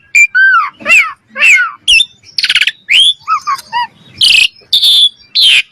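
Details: Common myna calling: a loud, varied string of curving whistles, gurgled notes and harsh rasping bursts, each note distinct and separated by short gaps.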